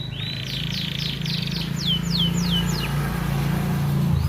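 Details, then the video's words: Persistent canary singer, used as a song master for young birds and to stimulate females to breed, giving a high trill followed by a run of sharply descending whistled notes, over steady low engine-like hum. "CANARY SINGING"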